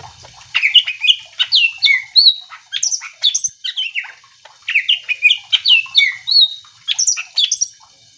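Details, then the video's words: Greater green leafbird singing continuously, meant to rouse other leafbirds into answering: a long, rich medley of whistled slurs, chirps and high squeaky notes in rapid, varied phrases. "Cucak ijo gacor AMPUH bikin burung mu langsung emosi ikutan bunyi"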